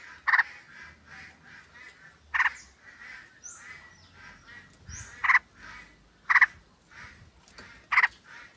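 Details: Sooty-headed bulbul, a calling flock with a female calling the male, used as a lure. Harsh chattering bursts repeat irregularly, about every one to two seconds, with softer calls between them and faint high whistles in the background.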